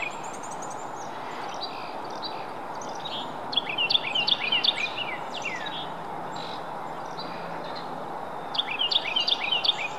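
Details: A Carolina wren sings in a residential area of Mendota Heights, Minnesota: two quick bursts of loud, rolling, repeated phrases over a steady hiss of background noise, with a few faint chips between bursts.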